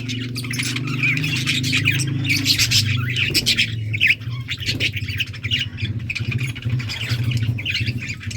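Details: Yellow budgies chatter continuously on August 6, 2024, with quick raspy chirps and squeaks piling over each other, while a strong low droning hum runs underneath throughout.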